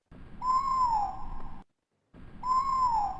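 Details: Evening Grosbeak Type 2 call, as heard in the Sierra Nevada, slowed down: two drawn-out whistled notes, each rising slightly then sliding down, about two seconds apart, over a faint low rumble.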